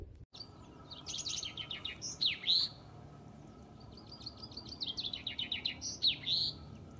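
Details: Singing male Common Chaffinch in the Kennemer Dunes national park, Netherlands, on an early spring day, sings twice: a bright descending series of sharp notes accelerating into a rattling trill and a jubilant final flourish, over faint background noise.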